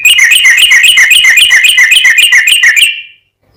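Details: Sooty-headed bulbul singing full ropel: one long, rapid, rattling trill of quickly repeated notes lasting about three seconds, then silence.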